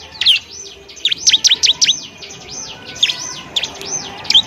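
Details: Bar-winged prinias at a nest found in the wild give rapid, high, sharp chirps and down-slurred notes in quick bursts, several birds calling over one another.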